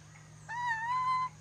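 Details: Ornate lorikeet from Sulawesi being taught to whistle gives one long pure whistle, under a second, starting low and rising slightly before holding level and cutting off cleanly, over a steady low hum.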